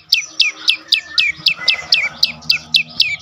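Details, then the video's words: Brief burst of prenjak lumut prinia 'dorr' song, a lure for silent birds; about a dozen piercing, downslurred notes in quick succession over a low background drone. "full Dorrr prenjak lumut lain makin tergoda berbunyi sangat ampuh untuk pancingan burung bisu"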